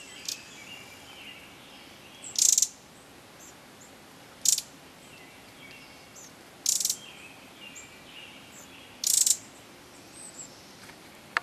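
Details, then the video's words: Winter Wren at Tryon State Park near Portland, Oregon, giving sharp, dry, high clicking notes in four short bursts about two seconds apart, over faint distant chirps and a thin high hiss. "Winter Wren"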